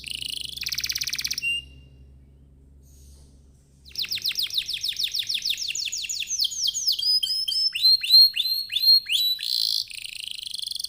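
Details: Canary song to prompt other canaries to sing: a short buzzy trill, a quiet gap, then long rapid trills of falling notes turning into rising whistled phrases and a buzzy roll.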